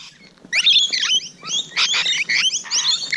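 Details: Close encounter with Rainbow Lorikeets on a June morning, a sudden loud outburst of shrill screeches and sharp squeaky whistles from several birds.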